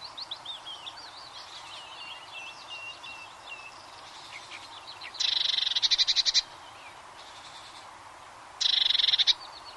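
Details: Two bursts of rapid, high-pitched trilling from a Eurasian blue tit, each about a second long and a few seconds apart, with faint warbling birdsong running beneath.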